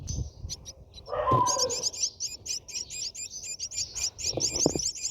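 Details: A Brahminy starling's nest, viewed from within, holds a burst of rapid, squeaky, twittering chirps that start after a brief scrape and go on in a dense, even series to the end, with a few low thumps.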